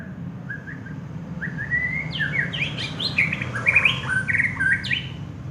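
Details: Prize-winning contest white-rumped shama: a few soft whistles build into a rich, loud stream of rising and falling whistled phrases with high sharp notes and trills, over low background hum.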